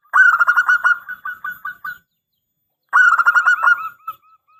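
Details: Local zebra dove with a big voice, sung as a lure to prompt replies: two bursts of fast stuttering coos, each starting loud and tapering into softer, spaced notes before silence.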